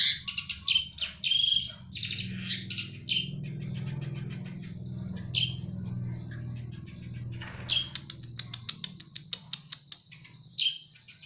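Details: Eurasian tree sparrows fighting: harsh, bright chirps in quick irregular bursts, some buzzy and some rising, about 88 per minute, with a steady low hum beneath throughout.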